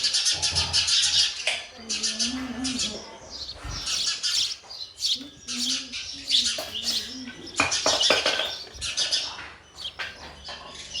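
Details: Sparrow nestlings begging as the parent bird brings food, a busy stream of high, thin chirps in clustered bursts, with a faint low wavering sound underneath.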